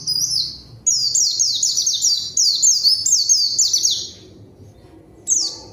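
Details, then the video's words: White-eye song used as a lure to call a rival: rapid high descending slurred notes in two long bursts with a short phrase near the end, loud and clear over low background hum. "PANCINGAN PLECI GACOR MANGGIL LAWAN PLECI BAHAN LANGSUNG RESPON DAN IKUT BUNYI"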